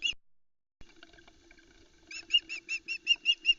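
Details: Loch Arkaig nest cam, 4 July 2020: a female osprey screeches while the male waits with a trout and the chicks are in the way. A quiet stretch leads into a steady series of about ten loud, sharp, repeated whistles.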